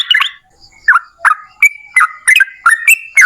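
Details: Yellow-vented bulbul giving sparse song, used as a lure for other bulbuls: a few separate liquid chirps, then a quicker sequence of short, sliding whistled notes.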